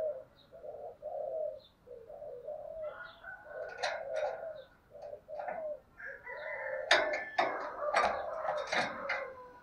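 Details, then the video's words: Spotted dove of the thổ voice style, urging and calling: a run of low, mellow coos for the first seconds, then a louder jumble of clucking and crowing from domestic fowl and sharp high chirps. "cu gáy giọng thổ Thúc và gáy gọi hay"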